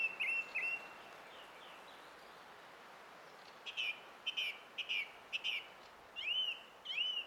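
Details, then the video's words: Singing song thrush, 20 April 2016. Opens with whistled notes, pauses, then delivers a run of five sharp repeated notes and finishes with two looping, down-slurred whistles repeated back to back. "Kaunis ääni linnulla - Laulurastas"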